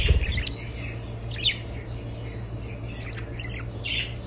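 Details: Budgerigars giving warbling chirps and short squeaky notes, heard over a constant low hum with a thump at the start.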